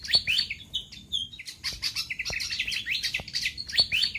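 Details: Pied fantail lure recording meant to bring wild fantails down: high twittering notes and short whistles, then a busy, fast string of squeaky slurred chirps, repeated in tight clusters, with light clicks.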